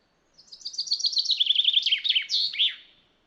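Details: Common chaffinch recorded in the wild, singing one rapid trill of repeated high notes that steps down in pitch, speeding up and ending in a sharp, looping flourish after about two and a half seconds; quiet background.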